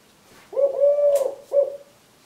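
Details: A 3-year-old male Eurasian collared dove wing-taps and sings his "please lay eggs" song to his mate. A short coo, a long level coo and a final short coo, with a brief sharp tap partway through.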